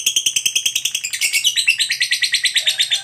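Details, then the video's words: Pet lovebird's long ngekek chatter, meant to get other lovebirds singing: clear high repeated notes, becoming denser and louder after one second, with a soft lower tone near the end. "Suara Burung Lovebird Ngekek Panjang ini, MENARIK Lovebird Lain Untuk Ikut BUNYI"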